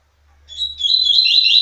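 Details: Double-collared seedeater singing loose to a female: a clear whistled phrase that swells and then breaks into rapid warbling notes near the same high pitch, lasting about a second, with a faint low hum underneath.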